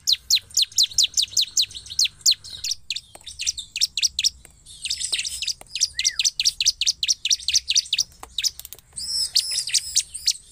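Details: Bar-winged prinia in full song, used to provoke other prinias to respond: loud, high, sharp chips repeated about four times a second in long bursts, with a brief lower slurred whistle midway.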